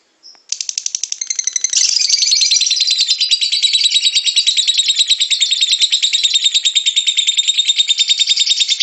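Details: Singing lovebird, used to coax other lovebirds into song: after a brief chirp, a rapid grating chatter starts and grows louder, with high squeaky notes woven through a steady buzzy rattle.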